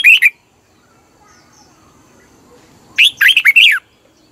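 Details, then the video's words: Red-whiskered bulbul song used to stir up caged birds: a short rich warble at the start, then after a quiet pause a loud cluster of four quick slurred whistled notes near the end, in a still setting. "เสียงนกกรงหัวจุก สำหรับต่อ หรือ เปิดให้นกคึก"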